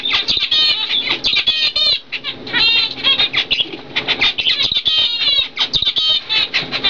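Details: Zebra finches, a 2012-bred normal cock and fawn hen: dense, rapid, nasal chattering calls and song phrases, each note stacked and buzzy, rising and falling with barely a pause throughout.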